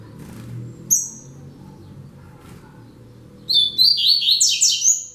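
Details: Rusty-collared seedeater (coleiro) classic "tui tui zel zel" fibre song, used as a tutor song for young birds: one sharp high note, then a fast burst of bright, twittering, buzzy phrases over a low background rumble.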